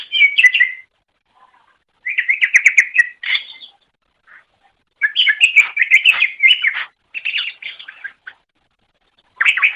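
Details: Greater green leafbird song from a pet-bird training recording: repeated bursts of fast chattering, buzzy trills and whistles separated by short pauses; quiet background with no other animals.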